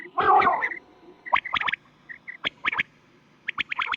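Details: Quail calling at night in a thick, deep voice, in a recording used for hunting: sharp, clipped notes grouped in quick threes, repeated every second or so, over a faint background hum.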